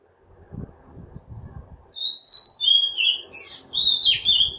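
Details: Oriental magpie-robin song used to entice other birds to sing: about two seconds of low rumbling background noise, then loud, varied whistled phrases with high sharp chirps, separated by short gaps.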